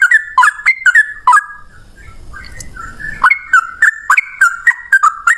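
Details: Yellow-vented bulbul in fighting song used as a lure for other bulbuls: quick clicking whistled notes, a brief lull with low rumbling, then another steady run of rising and falling whistles.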